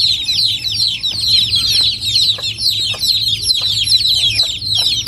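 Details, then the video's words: Chicken chicks in Noldang village, countryside: a dense, continuous chorus of high, rapid downslurred peeps from many chicks overlapping without pause, with a few faint lower notes. "Chicken baby sounds | Big Chicken sound"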